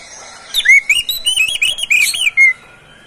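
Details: Caged, privately kept Oriental magpie-robin singing, played so other kept magpie-robins sing along morning, midday and afternoon; clear whistled phrase of rising and falling slurred notes, with sharp high clicks between them, ending in a bright upslur.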